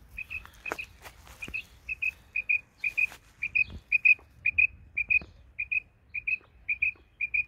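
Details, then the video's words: Female Isabelle-coloured quail singing in a garden: short, bright, clipped chirps, often in pairs, repeated steadily almost twice a second, with a few soft taps and rustles in the background. "caille Isabelle femelle chante dans le jardin. female quail Isabelle"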